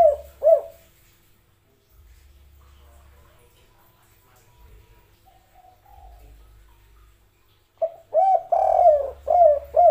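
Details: Spotted dove in "kuk 3" style: one or two soft coos open, then a long quiet stretch with low background hum, before a full phrase of a longer hollow coo and several shorter rounded coos at the end.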